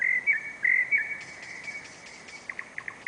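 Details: Nightingale singing on a July night within the city of Novosibirsk, recorded on a camera: a few loud whistled notes, then quieter scratchy elements and a short run of soft clicking notes.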